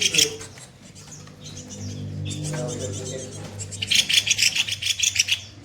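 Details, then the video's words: Kopi-kopi songbird's harsh-burst song used to train other songbirds: a brief burst of high chirps, a low droning hum in the middle, then quick rhythmic high notes repeated near the end. "Masteran burung KOPI KOPI bahan gacor tembakan kasar"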